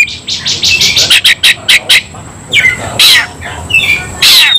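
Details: White-rumped shama (kacer) fighting song: evenly spaced rapid chattering notes followed by harsh rising and falling bursts, loud and emphatic.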